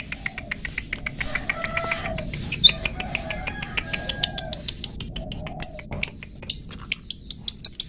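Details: Long-tailed shrike song in the 'toet toet' style, used as training material for pet birds: a busy stream of sharp chirps and short ticks, with rising notes near the end and faint low hum beneath.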